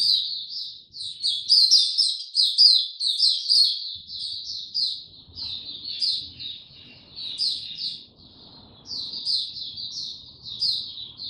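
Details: Oriental white-eye singing an opening song on 02052022, a long run of rapid, high, twittering chirps with short sweeping notes and buzzy trills, pouring out in bursts with brief pauses. Faint low rustling underneath.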